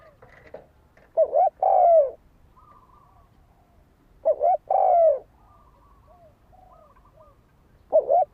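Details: Fighting coo of a spotted dove, played to stir a decoy bird: double coos, short then long and falling, spaced about three seconds apart, with light chirps from small birds between them.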